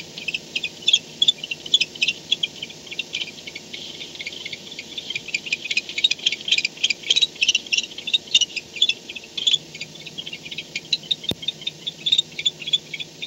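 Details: Barn owl at its nest at 4:38 am on 2-10-16, returning home at night; dense runs of rapid, dry, high ticking chitters repeated throughout, with a faint steady low hum behind.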